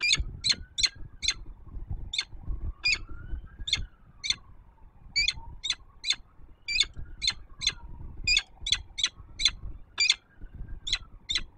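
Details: Female peregrine falcon, still at her city nest on Warsaw's Palace of Culture in Poland, early morning in September 2024. She calls before leaving, with bursts of loud raspy kek notes, some in tight clusters, over a background rumble.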